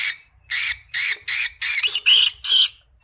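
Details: Creamino Rosy-faced Lovebird singing: a series of short harsh, buzzy chattering notes, about two per second, some with a brief whistled overtone.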